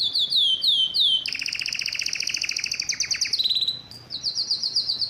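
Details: Excited canary wanting to mate opens with a few slow descending whistles, then switches to dense rolling trills at two pitches and finishes with a high quick roll.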